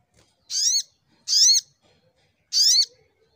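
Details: Brown-throated sunbird (sogok ontong) singing in full fighting mode: three loud, clear, ringing notes, each sweeping down then up, spaced roughly one second apart in a quiet setting.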